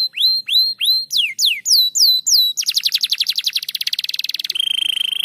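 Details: Crested canary in gacor rapat song: clear upswept whistles repeated about twice a second, then sharp downslurred notes, a rapid rolling trill and a steady high whistled tone at the end.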